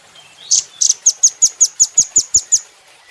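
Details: Velvet-fronted nuthatch, called rambatan doraemon, recorded as training material for cage birds, giving one quick burst of about ten thin, very high chips, evenly spaced and fast.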